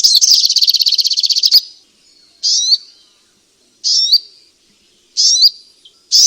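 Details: Striated grassbird song meant to get a sluggish bird singing: an opening fast buzzy trill, then four separate short upswept whistled notes spaced more than a second apart with silence between.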